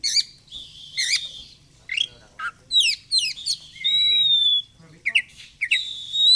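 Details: Kept oriental magpie-robin delivering a varied, rapid song of scratchy chirps, trills and long level whistles, with a low hum throughout.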